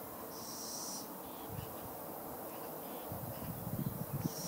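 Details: Young little owl, a fledgling, making two rasping hisses, one near the start and another at the very end, with soft low thumps and rustles between them.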